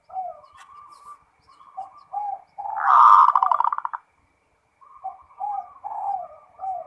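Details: Zebra dove of a local strain in continuous song. Soft rolling coos give way to a loud, fast trill of pulsed notes lasting about a second. After a silent gap, a series of gentle, repeated cooing phrases resumes.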